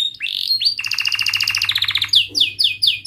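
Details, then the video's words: Canary song meant to coax young canaries to sing: rising whistled slurs, a pulsed buzzy roll of rapid beats, then separate bright descending chirps, clear and close with a soft low hum. "Kenari Gacor Cuit cuit Ngerol TAJAM"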